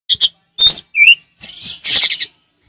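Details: Orange-headed thrush in relaxed ngeplong song style: short bright whistled notes and a rising slurred whistle, followed by dense buzzy chattering phrases with brief pauses between them.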